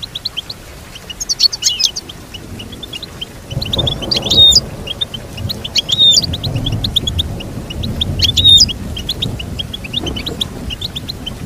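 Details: Goldfinch song for training a pet goldfinch: continuous high chirping punctuated by several louder twittering phrases, over a low engine-like rumble in the second half.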